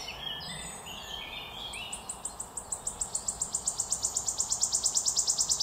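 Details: Wood warbler song from 2022: after a few scattered high notes, a run of sharp repeated ticks begins and steadily quickens and grows louder, building toward a trill.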